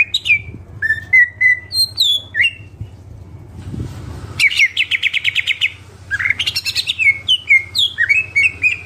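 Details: Lively greater green leafbird song mixing crisp falling whistles, a rapid stuttering buzzy trill, and rising slurred notes in quick succession, accompanied by a continuous low-pitched hum.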